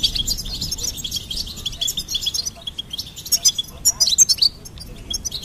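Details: Rapid high twittering and tinkling trills from a goldfinch, steady at first and then rising into sharp, emphatic chirps toward the end.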